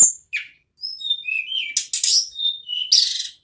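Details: Ashy tailorbird delivering continuous rolling song (nagen ngerol): clear, high whistled notes slurring up and down, then dense, scratchy buzzes and more piping whistles in quick succession.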